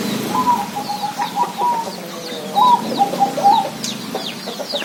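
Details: Zebra dove song: two phrases of rapid, staccato, slightly rising then level cooing notes, each about one second long, with scattered higher chirps from other small birds in the background.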